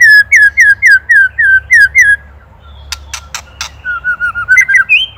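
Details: White-rumped shama, Indonesian master recording for songbird training: a string of eight evenly spaced slurred whistles, a few sharp clicks, then a quicker rising twitter of short notes.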